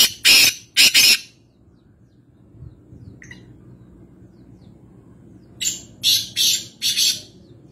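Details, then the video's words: Black francolin (black partridge) in Nawabshah, interior Sindh, Pakistan, gives harsh, rasping notes: two loud grating bursts, a pause, then a quick series of four scratchy, high calls over a faint low hum. "Kala Teeter | High Pitched Chirping Sound Voice | Francolin | Black Partridge"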